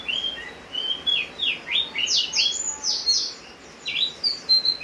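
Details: Javan grey-throated white-eye in full song as rain falls: rapid run of sharp downslurred and upslurred whistles, some very high, delivered almost without pause against a constant rain hiss.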